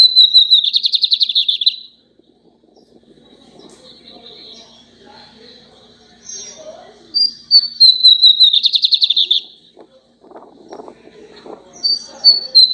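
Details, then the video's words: A Lined seedeater sings a lot: loud, high, buzzy trilled phrases with clear whistled notes, repeated after short pauses, with faint low household sounds in the gaps. "bigodinho cantando muito"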